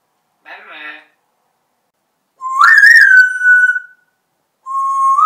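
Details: Talking pet parrot with a repertoire of about 80 words and a march song, inside a room: short buzzy syllable, then a loud whistle rising and holding steady, ending with another level whistled note.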